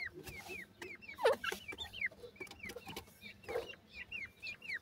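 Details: Sweet chirping of grey francolin chicks, the Indian gora teetar: bright curved peeps repeated about twice a second by more than one bird, with occasional low clucks and scattered clicks.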